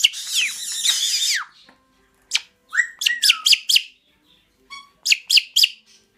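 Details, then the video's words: A pet caique gives a burst of harsh, noisy screeching, then a run of sharp, rising whistles and short chirps in quick clusters, while singing along. "sing with the caique"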